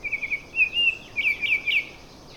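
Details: Baltimore orioles, several feuding in a neighbourhood first thing in the morning, giving conflicting calls rather than song: a quick run of clear, slurred whistled notes, several rising sharply, in two short bursts with faint hiss.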